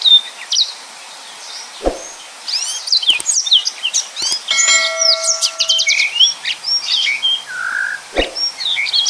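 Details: Yellow-fronted canary singing 'nembak' style as tutor audio for other birds: a lively stream of high whistles, chirps and trills, with a ringing electronic tone and a few sharp knocks mixed in.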